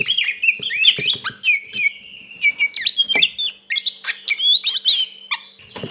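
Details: Oriental magpie-robin, known as kacer, delivering a 'ngeplong tarung konslet' fighting song used as a lure to rile another kacer. Dense run of clear whistled notes, rising slurs and harsh clicks in quick bursts, with a faint low hum beneath.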